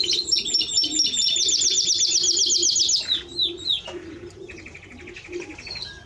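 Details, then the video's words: Timbrado Español canary singing rapid high rolling trills of repeated notes, then slower swooping whistled phrases and a metallic buzzy trill, with a faint low hum underneath. "Timbrado Español Canario song - Canario Cantado"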